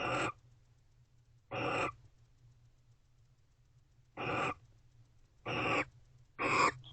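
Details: Two barn owls in an owl box expressing affection near midnight on 19 November 2023; five rough, breathy screeches, each under half a second, spaced unevenly with a long quiet gap mid-sequence, low hum in the background.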